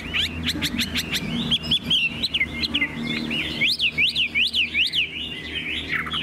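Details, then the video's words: Tame caged Chinese hwamei singing loudly: rapid run of sharp chips, then slurred whistles and a string of quick rising-falling whistled notes repeated about twice a second, over a low background hum. "Họa mi đẳng cấp, chim thuần, hót như 1 cái máy"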